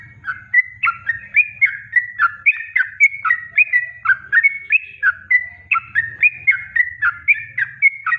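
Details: Yellow-vented bulbul master song for bird training, unenhanced: brisk chattering whistled couplets, sliding up and down, repeated nearly four times a second over a low rumbling background noise.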